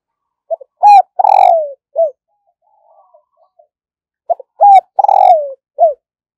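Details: Loud, close decoy spotted dove, used to lure wild doves: two rhythmic phrases, each a short pip, a rising note, a long downward-sliding coo and a closing short note. Faint soft sounds fill the gap between them.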